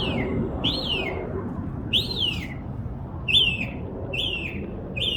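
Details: A bird twittering in a backyard gives six arched, down-slurred whistled notes, about one each second, over a steady low background rumble.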